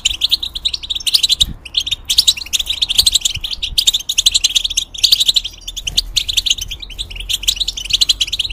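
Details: Caged European goldfinch in full song, played to teach young birds and hybrids: dense runs of tinkling, buzzy twitters that break into short bursts with tiny gaps, lively and continuous.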